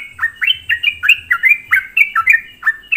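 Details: Lively sooty-headed bulbul song, a lure to rile other bulbuls: loud, rapid, liquid chirps that dip and rise, repeated about three times a second in a steady stream over a soft low hum.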